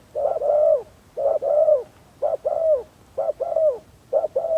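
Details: Spotted dove kept as a decoy to lure wild doves, giving low mellow coos: a short note followed by a longer, slightly falling croo, the pair repeated about once a second with faint background hum.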